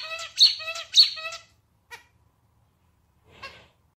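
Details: Pet male zebra finch giving a clarinet-style song phrase: a rapid string of nasal, buzzy harmonic notes lasting about a second and a half, followed by a single short note and a softer rasp after a quiet gap.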